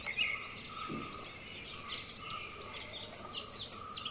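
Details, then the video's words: Newborn chicken chicks chirping in a steady stream of high, arched peeps from several overlapping birds, with a brief low thump near the start and a constant faint hum underneath. "Chicks Chirping Sounds."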